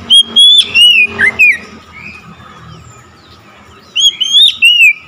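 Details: Oriental magpie-robin, hearing another magpie-robin, bursts into song: a quick string of bright whistled notes sliding down, a pause with soft background hum, then another loud whistled phrase.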